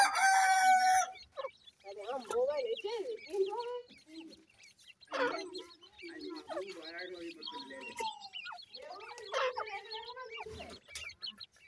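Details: Grey francolin chicks, known locally as gora teetar, give an opening loud, tonal, ringing call. It is followed by a series of short, wavering, chirpy peeps and squeaky notes rising and falling, with brief pauses between bursts.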